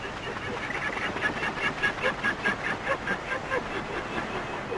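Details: Andean flamingos in flight give nasal, goose-like honking flight calls in quick succession, about two or three a second, over a steady roar of wind.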